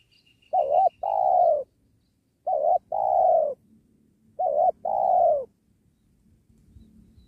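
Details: Spotted dove luring during the trapping of wild doves near a sacred tree, giving three evenly spaced pairs of a short notched note and a long mellow falling coo; faint high pulsed chirps open the recording.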